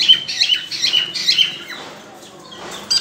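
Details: Cockatiel ready to breed: a cluster of rapid, high, chirping whistle notes for about one and a half seconds, then a fading, quieter stretch ending in one bright note.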